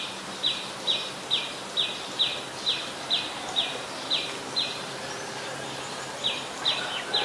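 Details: Adult Common Tailorbird, a common resident, recorded in Ubon Ratchathani, Thailand, on 12 February 2023: sharp, bright, high notes repeated steadily about twice per second, with a short pause before the series resumes, over faint rustling and insect hiss.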